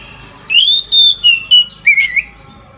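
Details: Oriental magpie-robin, midday song used to encourage other magpie-robins: a long pure whistle gliding slightly downward, then a quick run of short whistled notes ending lower, with a faint hum behind.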